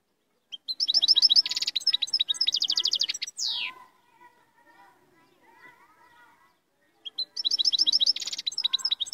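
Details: Moroccan royal goldfinch giving two bursts of lively, high twittering song with rasping buzzy segments. A long slurred downward note ends the first burst. Soft, low murmuring sounds fill the pause between the bursts.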